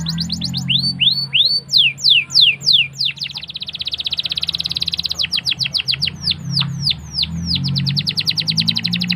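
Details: Singing canary used as a lure for young canaries learning to sing, opening with slurred falling whistles, then a dense rapid trill and a run of sharp descending chips over a faint low hum.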